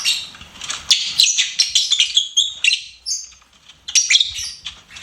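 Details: Pet lovebird singing in a fast, continuous chatter of high, scratchy chirps and short whistled notes, pausing briefly before another burst of squeaky twittering.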